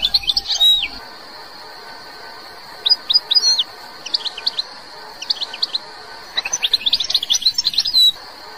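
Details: Algerian European goldfinch singing: scattered bursts of high, sharp twittering notes with quick upward and downward slides, broken by short pauses, over a faint steady high tone and low background hiss.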